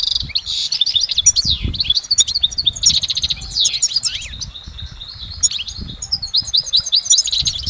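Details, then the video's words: Continuous goldfinch song recorded in nature, full and layered: rapid twitters, dry buzzy trills and sliding whistles flowing with scarcely any interruption. "Exceptional recordings of the goldfinch in nature"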